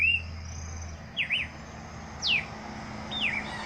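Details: Bird song in the open: a few thin whistled notes, sliding downward or in quick up-down loops, spaced about a second apart over a low steady hum and a faint high tone.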